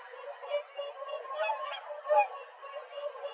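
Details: Whooper swans leaving their roost around sunrise on a January morning (18 January 2023) in Drenthe, giving a chorus of loud, overlapping bugling honks, with a louder trumpeting note near the end.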